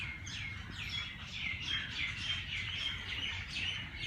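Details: Early-morning bird chorus in a Lahore park: softer, scattered high chirps and brief whistles from several birds, spaced irregularly, above a low constant rumble.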